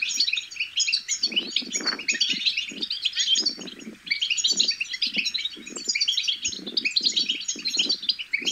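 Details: Babbling of goldfinch chicks, used to excite other goldfinches into singing: an unbroken stream of high twitters, liquid trills and scratchy notes, backed by frequent low dull thuds.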